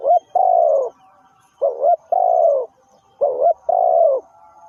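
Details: Spotted dove used to attract wild birds for trapping repeats its call three times, about every one and a half seconds: a fast double note, then a long husky coo that sags slightly in pitch.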